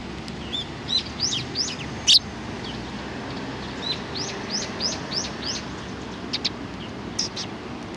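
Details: Several sparrows recorded on 15 October 2018: bright, sharp chirps rising then falling, given in quick irregular bursts, some overlapping, with a few louder clicks over steady low background rumble.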